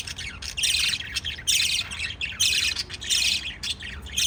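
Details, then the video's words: Harsh, grating chirps from pet lovebirds feeding chicks and kissing come in about six loud rasping bursts, roughly every half to three-quarters of a second, with faint twitters between them. "LOVE BIRDS CHIRPING sounds"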